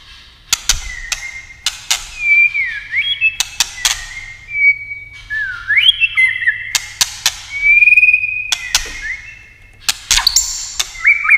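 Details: Competitive white-rumped shama singing: clear whistles held steady or swooping up and down, phrases every second or two, interspersed with frequent sharp clicking taps.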